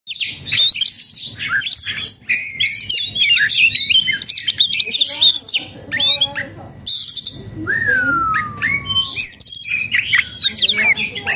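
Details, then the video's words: Oriental magpie-robin, a kept bird in breeding condition and agitated, singing a dense, varied stream of high whistles, sweeps and chattering notes, with a long descending whistle near the middle and a low background hum. "burung kacer jadi birahi dan emosi"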